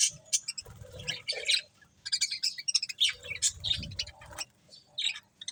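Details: Budgies busy eating corn let out scattered, sharp high chirps and short twittering bursts separated by quiet gaps, over low rumbling thuds.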